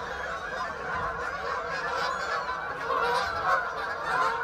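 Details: Large flock of Canada geese passing overhead, captured on an iPhone 13 Pro: loud, ceaseless overlapping honking from many birds, with harsh nasal calls tumbling over one another roughly once a second.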